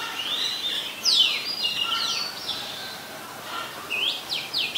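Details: Oriental magpie-robin singing, Ubon Ratchathani, Thailand, December 2020: spaced sweet whistles, a sharp downslurred note, a quieter pause, then bright rising and falling whistled phrases over mild background hiss.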